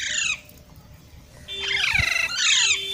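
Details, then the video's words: Green parrot screech, then a longer, rich, rasping call with several falling notes and a faint steady tone behind. "Green Parrot Talking Natural Sounds | Mitthu Ki Awaaz | Tote Ki Awaaz"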